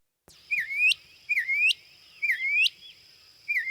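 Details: Northern Mockingbird song: a loud phrase of a low dip followed by a rising whistled sweep and a sharp upslurred note, repeated four times about once a second, in a quiet setting.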